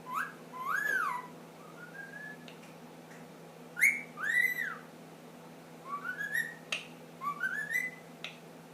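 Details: Ten-month-old pet ring-necked parakeet starting to whistle the Addams Family song: scattered pure whistled notes, some rising, some arched, with brief chirps in between, indoors with low room hum.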